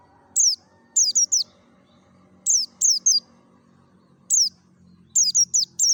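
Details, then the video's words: Lively 'ngalas' forest-style song of a Merapi mountain white-eye, a lure for white-eyes. High, falling whistled chips come in rapid clusters of two to four, separated by short pauses, over a soft low background hum. "SUARA NGALAS SAMPAI PARUHNYA SOBEK❗PANCINGAN PLECI DAKUN MERAPI"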